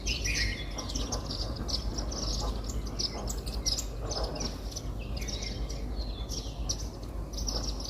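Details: Indian silverbills (white-throated munias) eating millet at a house-garden feeder give soft, high chirps and short twittering notes in a loose, continuous chatter, over a steady low rumble of background noise.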